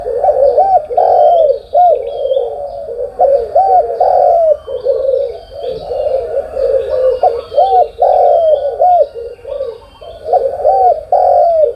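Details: Spotted doves coo in the morning: throaty, rolling phrases repeat almost continuously with bending, looping notes. Faint high chirps of small birds sound in the background.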